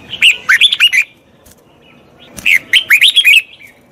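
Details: Song of a red-whiskered bulbul meant to train a wild-caught bird: a chattering, whistled phrase of five quick notes, a pause of over a second, then a second similar burst of bouncing, warbled syllables.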